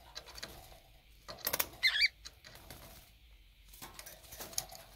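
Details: Conure pair fighting during a bath in drinking water, 23 February 2019: one short, harsh double squawk in the middle, flanked by bursts of splashing and water patter.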